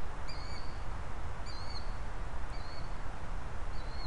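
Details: A Killdeer calls at night on 20 March 2019, around 21:39: four thin, high, slightly slurred notes about a second apart, over a heavy low rumble of wind or distant traffic.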